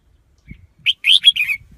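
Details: One short, loud red-whiskered bulbul phrase of bright, bubbling whistled notes, slurring up and down in quick succession, after a faint thump.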